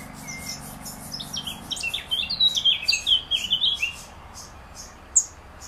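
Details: Young black redstart calling for its mother: a quick, busy run of high, thin chirps and squeaks building over a few seconds, with a faint low hum early on.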